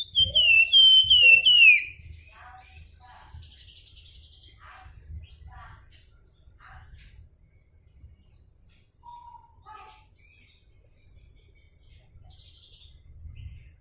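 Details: Javan fulvetta (flamboyan) in active song opens with a loud two-second run of sliding, downward-stepping whistled notes, then fades into faint, scattered chips and twitters over a quiet background.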